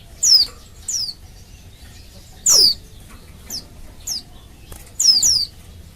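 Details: Female Oriental white-eye calling to males, luring them into singing: thin, high whistled notes sliding sharply downward, given singly or in quick pairs, five bursts at uneven gaps over a quiet background.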